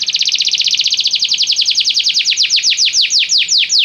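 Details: Canary singing a continuous high trill whose repeated notes gradually slow and lengthen into distinct downward-curving sweeps, played to prompt a canary to start singing.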